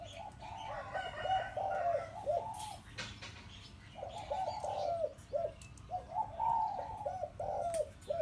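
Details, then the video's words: Zebra dove decoy bird, a four-year-old hybrid of penyat style, delivering firm inner- and outer-ring calling as repeated series of rapid, bubbling coos separated by short pauses, light clicks in the background. "นกต่อเพนียดเสียงตามคลิป นกเก่าอายุ4ปี ลูกผสม วงในวงนอกเเน่นครับ"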